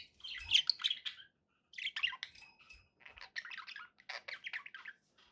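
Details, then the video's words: Pet budgerigar warbling in several phrases of rapid, scratchy chirps and squeaky notes, separated by brief pauses, loudest in the opening phrase. "1 hour of budgie sounds for pet parakeets to make tham happy"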